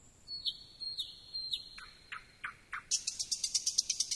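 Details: Thrush nightingale phrase: repeated high whistles broken by clicks, three lower downslurred notes, then a rapid buzzing rattle of high pulses to the end.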